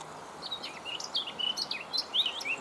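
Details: Eurasian blackcap singing in a pleasant natural setting: a fast, varied warble of high whistled and scratchy notes, with several clear fluting phrases near the end, over faint steady background noise.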